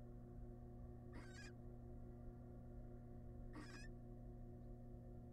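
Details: Wild barn owl family at a nest box camera, male arriving with a massive rat; a pair of short, rough hissing screeches some 2.4 seconds apart, backed by a continuous mechanical hum.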